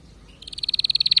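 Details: Canary song: after a quiet start, a fast trill of rapid repeated notes sets in near the middle, pulses growing steadily louder toward the end of the short phrase.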